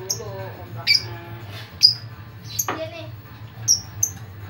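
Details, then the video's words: Lovebird chatter intended to lure others of its kind: piercing high chirps about once a second, mixed with a lower rasping squawk and a steady hum behind. "LOVE BIRD CEREWET DAN Memancing LOVE BIRD Yang Lain Pasti Ngikutin"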